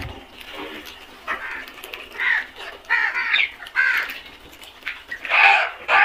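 Several crows give harsh, hoarse caws in short overlapping bursts, some doubled, about one every second over a soft background hiss.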